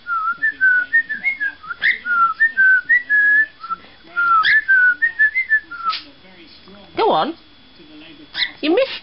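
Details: Indoor male pet parrot whistling "Pop Goes the Weasel" on a small laptop recording, repeatedly missing the final line: long strings of pure melodic whistles with quick upward flourishes, broken by harsher squeaky sweeps near the end and brief pauses.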